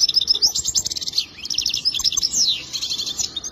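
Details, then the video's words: Goldfinch song for mating: a lively, high-pitched stream of twittering notes, fast trills and sweeping slurs, hardly pausing. "اجمل تغريد حسون رائع جدا"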